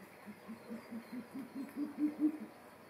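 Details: Hokkaido Ural owl chicks at Kushiro City Zoo, Japan, waking at dusk on 11 June 2023: a series of about ten low, short hooting notes that speed up slightly and rise a little in pitch and loudness toward the end.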